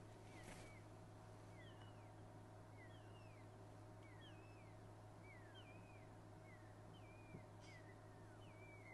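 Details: Two Pearl-spotted Owlets call on a morning safari drive at Djuma Game Reserve, South Africa, 23 July 2011, giving clear, high, downward-sliding whistles about once a second over engine hum; a fork-tailed drongo also calls, mimicking them.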